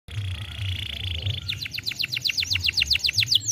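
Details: Young canary singing, used to stimulate other canaries: a steady whistled note near the start gives way to a fast series of high sweeping syllables repeated about four times a second, with low background hum.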